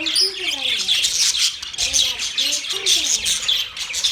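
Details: Pet budgies chirp and warble nonstop in a high, scratchy chorus, over low wavering tonal sounds that come and go in short phrases.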